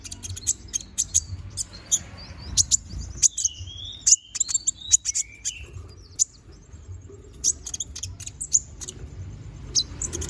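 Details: Konin bird singing lively full-variety song used to train magpie-robins: sharp high chips repeated rapidly alongside slurred whistles, some rising, some falling, over a steady low hum.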